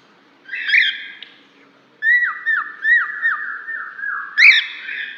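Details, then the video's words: A cockatiel calling to another, used to attract a lost cockatiel, gives loud whistled calls: a rising screech, then a run of quick downslurred whistles and a final harsh rising call. "Calopsita chamando outra, para atrair calopsitas perdida"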